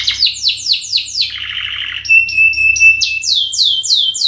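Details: Canary singing a lure song: rapid falling whistles, then a lower rattling trill, a steady piercing whistle under clipped high notes, and renewed fast descending sweeps.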